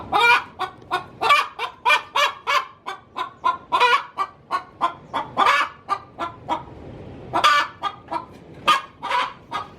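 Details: Hen cackling in the coop before laying, fast series of loud, grating clucks and squawks, with a brief quieter gap and then renewed louder notes.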